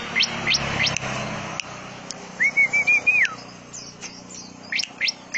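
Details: Greater green leafbird song in a canary-like style with cililin and lovebird-type rapid phrases: sparse high, sharp upward chirps, then a sustained wavering whistle that drops at its end, followed by short clipped notes and more isolated chirps.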